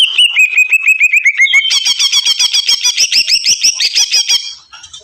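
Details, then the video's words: Agitated greater green leafbird calling non-stop: sharp rising chirps in quick succession, then a dense burst of layered high twittering notes that fades out at the end. "burung cucak ijo ngamuk teriak teriak nggacor"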